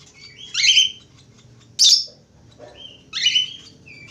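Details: Budgerigar singing: bright buzzy warbles mixed with rising whistled notes, three loud bursts roughly every one and a half seconds, with a sharp squawk in the middle.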